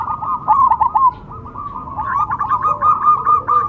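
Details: Perkutut cemani, a zebra dove kept as a contest songbird in Indonesia, giving rapid rolling coos around a steady low pitch, bursts of quick trilled notes run together over about four seconds.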